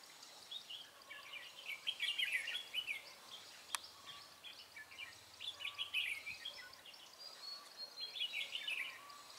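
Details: A Red-whiskered bulbul in a trapping setup, 23 March 2018, sings its rapid "ché" style: three bursts of tumbling, chattering whistles roughly every three seconds, over steady hiss with a faint low hum partway through.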